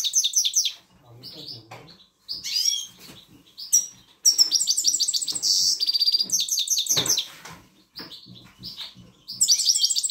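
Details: Goldfinch (grey-headed goldfinch) song used to motivate young birds: a fast, liquid twitter of tinkling, high notes and buzzy trills.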